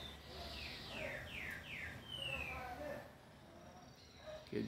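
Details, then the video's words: A captive green-winged saltator, offered for sale, sings on a Thursday, 25 August at 15:30: a quick run of four or five downslurred whistled notes, then a longer clear whistle, with low voices murmuring underneath. "TRINCA-FERRO OU TEMPERA-VIOLA CANTANDO LINDO!"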